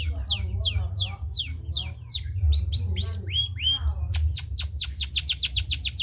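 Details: Long-tailed shrike, spotted trotol form, kept as a master singer, pours out rapid sweeping downslurred whistles, a couple of longer flat whistles, then a fast run of sharp notes, over low hum.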